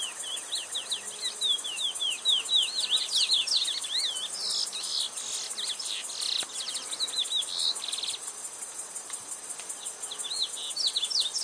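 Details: Chestnut-bellied seed finch (curió) in full song: fast, loud, varied whistled slurs and trills rising and falling, bursting in rapid phrases, with a constant high pulsing insect-like buzz throughout.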